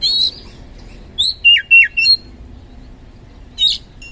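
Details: Oriental magpie-robin (kacer) song used as a lure to provoke lazy birds into singing: a few sharp whistled notes and short downslurred chirps with gaps of silence between them.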